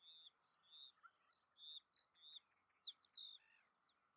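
A white wagtail gives a quick run of about a dozen short, high chirps and slurred tweets, several each second, over a faint low hum.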